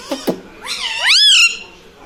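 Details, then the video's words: Talking pet parrot, reported to say "mummy papa" and "radhe radhe": two short clicks, then one long, smooth, rising-then-falling wail-like syllable with rich overtones, fading out at the end. "Talking mummy papa|| mummy vala parrot || mithu bolo radhe radhe"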